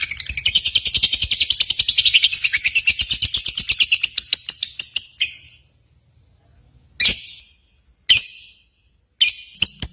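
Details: Recording of a lovebird competition, used to excite pet lovebirds: a long, fast, high chattering trill of pulsed notes for about five seconds, then silence and a few separate sharp shrieks.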